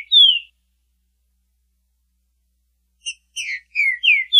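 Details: Green-winged saltator song variation: one loud descending whistle, a long pause, then a quick series of short notes leading into slurred falling whistles, rising in loudness toward the end. No background sounds.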